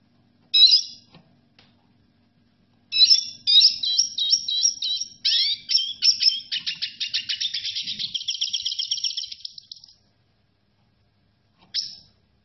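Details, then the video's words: Red siskin: a short chirp, then a seven-second twittering phrase that speeds into a steady, rapid trill of evenly repeated high notes, ending with a single chirp. "ما شاء الله لن تصدق جمال صوت تغريد السيسكن الاحمر - Unbelievable Amazing Red siskin song"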